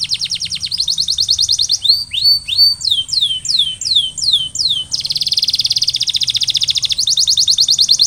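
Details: Canary training song to get other canaries singing: fast high trills open, then a string of about eight descending whistled slurs, followed by a dense buzzy roll and another quick trill.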